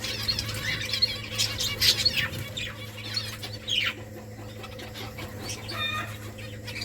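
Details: Feeding on rice, finches make quick, thin chirps and falling tweets in the first half, quieter calls afterwards, over pecking sounds and a low electrical hum.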